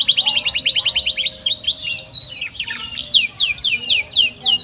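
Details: Canary pouring out a fast trill of falling notes, then twittering and a new series of loud descending whistles.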